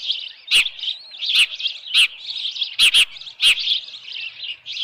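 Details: Osprey with a headless fish at its Dunrovin Ranch nest, evening of 10 June 2018. Continuous high, quavering chirps, with sharp broadband knocks about every half second to second.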